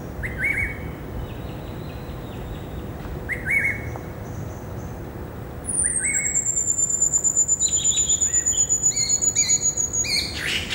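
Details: A Greater Racket-tailed Drongo in a herb garden on a Saturday afternoon, 16 December 2017, sings a varied string of short chirps and whistles. It includes one long, thin, high whistle slowly falling in pitch, over steady background rumble.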